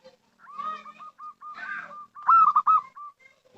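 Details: Local-type zebra dove giving a call suited for luring: a run of short, even coos on one pitch, then a louder rolling, trilled phrase, with some fainter harsh bird notes behind.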